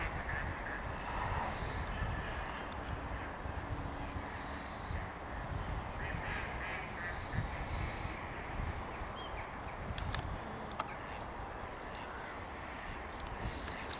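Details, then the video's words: Mallards quack loudly on 4 December 2022 in a dense, overlapping chorus of harsh, nasal notes, with a steady low rumble of background noise throughout. "Kaczki krzyżówki głośno kwaczą"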